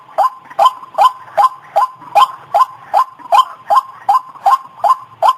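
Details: White-breasted waterhen calls from a lure recording for attracting the birds: a steady, evenly spaced series of harsh, rising croaks, about two and a half per second, repeated without variation.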